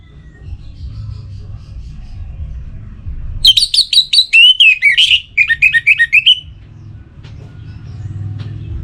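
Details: Calling a rival, a kept orange-headed thrush from North Bali in breeding condition sings one long, loud phrase of about three seconds, varied high whistles then quick repeated dipping notes, with soft low hum around it.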